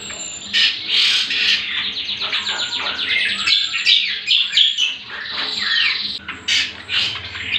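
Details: Cucak kombo, the greater green leafbird, singing a master recording meant for training other birds: a dense, rich outpouring of rapid warbled and rattled notes, continuous and loud, with brief thin high whistles above.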